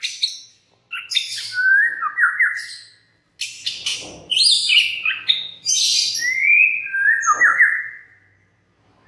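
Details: Lively white-rumped shama lure song to excite other shamas: dense bursts of harsh chatter mixed with trilled, warbling whistles and rising clear notes, flowing almost without pause.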